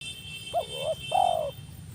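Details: Spotted dove used as a newly trained decoy for luring wild birds: a wavering two-part coo followed by a longer, steady, slightly falling coo, low and mellow, over a faint steady background hum.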